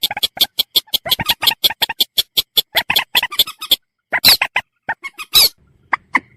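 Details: Common moorhen in a fast, steady run of sharp clipped clucks, then a pause and a couple of loud rasping squawks.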